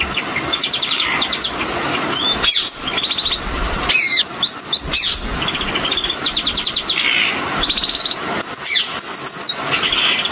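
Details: Male crested Gloster canary singing fast, high rolling trills and chattering tours, phrase after phrase with brief pauses, over a steady background hiss.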